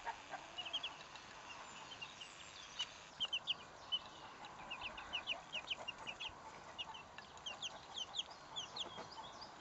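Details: Twelve-day-old Salmon Faverolles chicks giving repeated thin, high-pitched peeps in quick clusters, several birds overlapping, over a faint steady background hiss.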